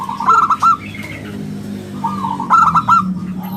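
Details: Local zebra dove (perkutut) giving 'bulat kristal' song, played as a lure and master for other doves: a quick stammering trill of clear notes, a pause with faint notes, then the trill repeated more loudly.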